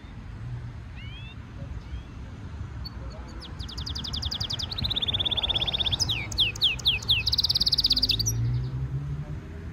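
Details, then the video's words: European goldfinch mule, a hybrid, singing during song training: rising whistled notes, then long rapid metallic trills, fast repeated chips and a buzzy rattle, sung loudly over a low background hum. "European goldfinch Singing Mule -Training - Jilguero Mulo - Carduelis carduelis - Stimulation song"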